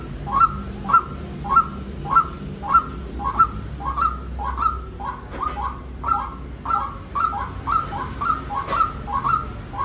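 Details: A white-breasted waterhen repeats short, gruff, falling notes in a continuous rhythmic series for ten seconds, around one and a half to two per second, with quiet hum behind.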